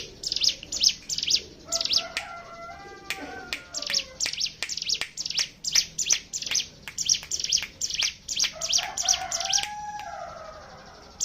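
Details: Hill prinia song used as a lure to make other birds sing, in the fast continuous bren style: rapid, sharp high chirps repeated in quick bursts, with lower drawn-out whistles from other birds beneath.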